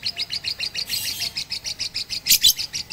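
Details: Rooftop training session for a Batman lovebird using a master recording, April 2021; quick repeated high-pitched chirps at a steady pace, with a couple of brighter, harsher notes near the end.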